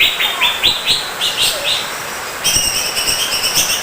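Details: Greater green leafbird song: a run of short, bright upward-sweeping notes repeated about every third of a second, then a denser buzzy, ringing warbled phrase with layered overtones. Faint low background rumble.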